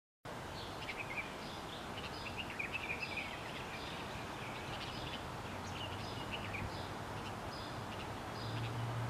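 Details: A wild red-vented bulbul in Hawaii gives short, bright chirps in loose, irregular bursts before quickly flying away, over a steady background rumble of outdoor noise.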